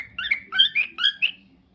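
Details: Cockatiel making a short burst of about five bright, slurred whistled chirps in under two seconds, fading out at the end.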